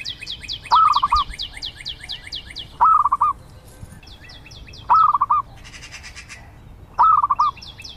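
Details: Regular phrases of quick, bubbling cooing notes from a zebra dove, about one every two seconds, four in total. High, descending piping notes from another bird and a brief high hiss are heard alongside.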